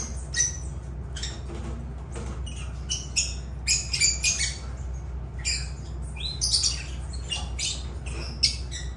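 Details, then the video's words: Lovebirds in busy, scratchy chatter: short high squawks and chirps come in irregular bursts throughout, with a few sharper peaks and a low steady hum beneath. "Agapornis love birds sounds"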